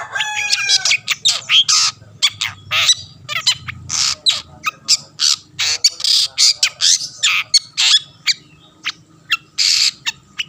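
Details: Long-tailed shrike song meant to stir up rival shrikes: begins with ringing harmonic notes, then a long, steady run of short harsh rasps and squawks, evenly repeated.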